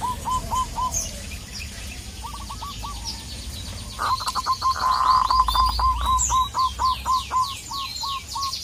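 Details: Local Indonesian zebra dove calling out to a rival: short bursts of clipped, hooked coos, then a long steady run of rapid repeated notes. Loud high chirping and trilling from other birds overlaps much of it, over a low background rumble.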